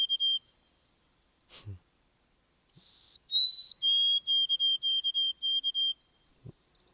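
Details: White-throated Sparrow song: pure whistled notes, starting with two long, high, bright held tones of highest intensity, then a quick stepwise run of repeated lower notes. Faint thumps are heard before and after.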